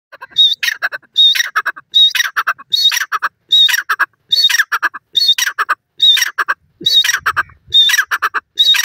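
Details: Dakhni teetar (francolin) calling loudly, a harsh ringing phrase with a thin high whistled note, repeated about every 0.8 seconds in a steady series, with clear silent gaps between calls.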